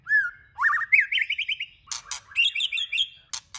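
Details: White-rumped shama song, used to stimulate other shamas into singing varied phrases: whistled notes near mid pitch, then quick rising warbled trills, sharp broadband clicks around two seconds, and another bright trilled run.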